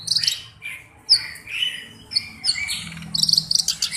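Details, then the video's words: Black-browed reed warbler singing as a tutor bird: separate high squeaky whistles and scratchy notes with short gaps between them, ending in a quick run of sharp, ringing clicks. "BURUNG KERAK BASI ALIS HITAM GACOR/MASTERAN KERAK BASI"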